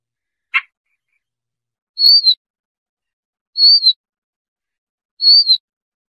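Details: Siberian rubythroat recording for trapping: one dry click, then three high, slightly downslurred whistled notes repeated roughly every 1.6 seconds, with nothing else audible.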